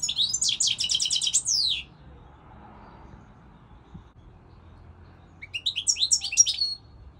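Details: European goldfinch sings an evenly repeated, rapid series of chirping notes, then falls silent for several seconds before a second burst of jumbled, liquid twittering.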